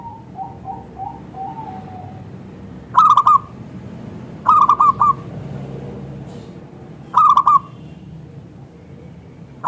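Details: Local zebra dove with a thick, clear voice, recorded as a lure to get other zebra doves answering: a soft string of lower coos, then three loud pulsed cooing phrases spaced about two seconds apart over background hiss.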